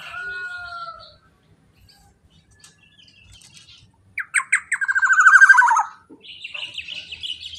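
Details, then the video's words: Kepodang, or Black-naped oriole, calling loudly as a lure for other birds. A clear, slightly falling whistle comes first, then after a pause a loud, quickening series of buzzy, nasal notes. "kicauan POWER suara KEPODANG GACOR super KERAS LANTANG cocok untuk pancingan kepodang emas"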